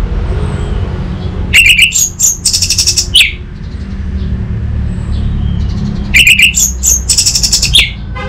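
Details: Orange-headed thrush master and lure recording meant to train an untrained bird to answer and sing: two loud phrases mixing sharp high whistles with buzzy, rattling trills, separated by a short pause, over low background hum.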